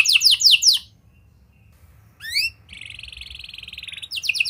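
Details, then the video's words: Canary song used to prompt young canaries to sing. Bursts of very fast, high, rattling trills, then a rising sweep and a long, steady buzzy trill, then quick trills again. A faint low hum runs underneath. "Kenari Gacor Angkatan Gacor! Efektif Buat Memancing Kenari Paud Agar Cepet Rajin Bunyi & Ngeplong"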